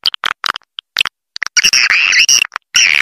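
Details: Swiftlet lure call used to attract swiftlets: sharp clicks and short chirps at first, then longer buzzy, wavering twitters with bright rasping overtones in bursts near the end.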